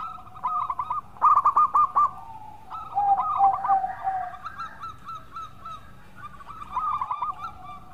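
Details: Local zebra dove singing eagerly with a sweet voice, recorded as a lure to start other birds singing: repeated phrases of rolling, pulsed coos, some loud and some distant, with overlapping softer drawn-out notes.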